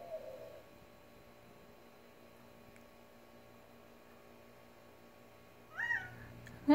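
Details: Quail in a backyard in the Tucson desert, which makes a weird call every few seconds: a brief, nasal, wavering call near the end, after a faint low note at the start, over a steady low hum.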